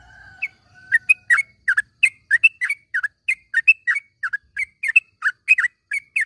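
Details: Morning calls of a yellow-vented bulbul for training silent caged birds. A faint low tone at the start gives way to steady, quick bubbly chirps repeated throughout.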